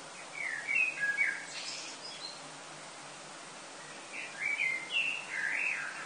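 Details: Common blackbird song before sunrise, summer, Lille, France, early August: a short fluty phrase with a squeaky high ending, a pause of about two seconds, then another warbled phrase.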